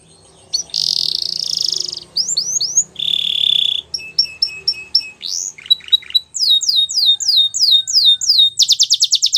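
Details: Belgian canary song mixing a harsh buzzy note, swooping whistles, a flat sustained tone, clipped repeated notes and finally fast rhythmic falling whistles.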